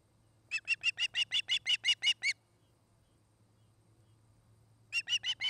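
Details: At its Charlo, Montana nest on 29 August 2018, an osprey gives eleven rapid, piercing chirps in a steady string, falls silent for over two seconds, then starts a fresh burst of four. A faint low hum runs underneath.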